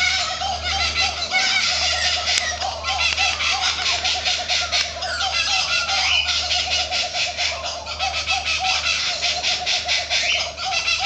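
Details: Several laughing kookaburras calling from trees, rapid rhythmic bursts of harsh chattering laughter that swell and ebb in waves, over a faint low hum.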